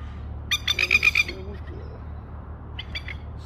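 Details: Spur-winged plover with its chicks in Australia gives a rapid run of about six loud, harsh, metallic notes, then a brief pause and two or three fainter grating notes, with a low constant rumble beneath.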